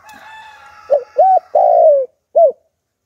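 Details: Spotted dove in the Hạp Bổi style, a lure for wild doves: a steady faint hum, then one phrase of short coo, rounded coo, long descending coo and a clipped final note.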